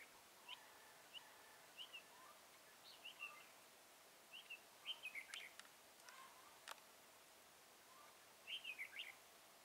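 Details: Red-whiskered bulbul during bird trapping at Chùa Hương, Mỹ Đức, on 11 November 2017. Short, bright, warbled phrases of two to four notes come in irregular bursts, with a quicker chattering run near the end. The recording is faint over steady outdoor noise, with a few sharp clicks.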